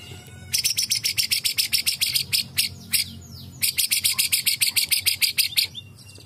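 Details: White-rumped shama, worked up and singing vigorously again within a minute: two long bursts of rapid, buzzy, rattling notes, roughly seven per second, separated by a short pause with a few sharp clicks.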